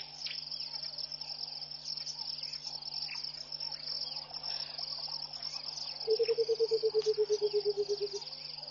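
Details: At dawn at Pete's Pond, Mashatu Game Reserve, Botswana, in January 2014, a Burchell's coucal gives one long run of low, rapid, bubbling notes that slowly drop in pitch. A continuous high-pitched insect drone runs through the whole recording.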